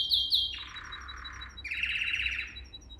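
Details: Canary training song: two sharp high notes, a long low buzzy roll, then a higher rapid, even trill with faint high pips above it.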